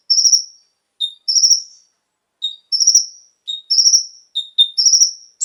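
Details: Konin song used as a lure to make caged birds sing; high buzzy trills about one second long, each preceded by one or two short clear whistles, separated by short silences.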